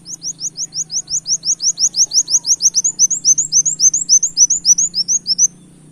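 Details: Canary-imitating song of a brown-throated sunbird, played to lure birds: a steady run of sharp, high rising whistled notes, roughly three to four each second, stopping abruptly near the end over a soft low hum.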